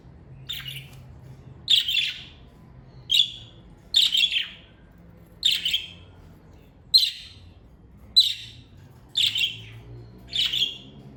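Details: A family of pet parakeets chirps steadily: nine short, sharp, bright notes repeated roughly every second, each a brief burst with a slight rasp, over a faint low background hum.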